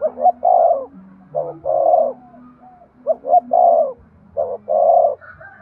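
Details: Spotted dove coo played to spur breeding: four repeated phrases, each two short clipped notes then a drawn-out, slightly falling coo, spaced about a second and a half apart.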